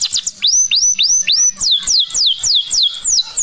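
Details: Canary singing a phrase of upward-curving whistled notes repeated quickly, followed by a run of sharp descending high notes at a steady pace.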